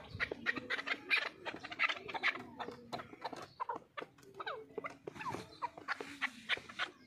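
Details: Chukar partridge giving a fast, chattering run of clipped chuk notes with some short sliding notes, uneven rhythm, several notes per second throughout.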